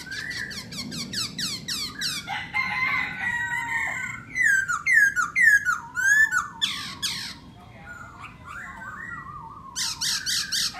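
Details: Black-throated laughingthrush singing while displaying, delivering a series of descending whistled slurs, harsher scratchy notes, loud looping whistles in the middle, and a quieter wavering whistle before a fresh burst at the end.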